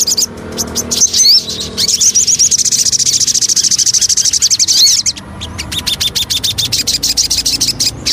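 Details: Javan cochoa (sogon) lure song: a few rising whistled notes, then a steady rapid high trill lasting several seconds, followed by a series of regular sharp clicking notes.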